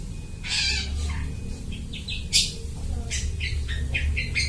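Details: Long-tailed shrike singing in full voice and imitating other birds, a recording meant as a lure for bird trapping: scattered harsh, buzzy bursts and short chattering notes, with a low steady hum underneath.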